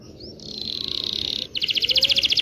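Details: Canary in full, long rolling song, used as a lure for training young canaries to sing: a thin upslurred note, then a steady high buzzy roll lasting about a second, breaking into a bright rapid pulsed trill.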